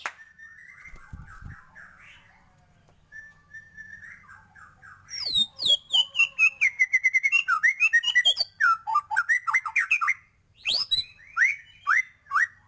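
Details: Energetic white-rumped shama song rich in fill phrases. Soft warbled whistles give way to a loud, rapid stream of sharp downward-sweeping notes and twisting whistles. A short pause follows, then renewed bursts of clear rising whistles.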